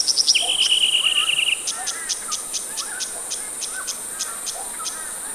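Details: Male golden-headed cisticola in display flight at Anstead Reserve, giving a fast buzzy trill, then a series of short high clicks about three per second; a steady high insect whine and other faint bird notes run throughout.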